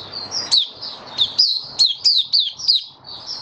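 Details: White-eye in a cage, 23 March 2022, recorded during a diet change for hot humid weather: sharp, high, downslurred chirps spaced roughly every third of a second, with soft warbling between and constant background hum.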